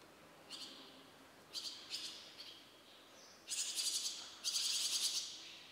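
Barn swallow chicks begging: a few short, high, buzzy chirps, then two loud rapid bursts of shrill, scratchy twittering from several nestlings together.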